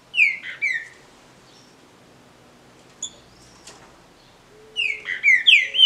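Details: Green-winged saltator (trinca-ferro), a legally kept bird, in a singing contest: loud, clear whistled notes slurring downward in two quick pairs, a pause with faint soft chirps, then a fast burst of ringing whistled phrases.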